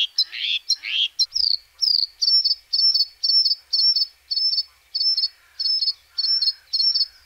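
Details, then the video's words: {'text': 'White-spotted bluethroat (Luscinia svecica cyanecula) singing: a few varied buzzy, squeaky notes, then a steady series of clear high ringing double notes repeated about twice a second, with a faint lower chatter in the background.'} "White-spotted bluethroat | Luscinia svecica cyanecula"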